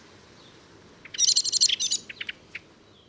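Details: Common blackbird song phrase: a dense, rapid burst of high, squeaky twittering notes lasting about a second, then four or five separate, slightly lower chirps trailing off, against a quiet background.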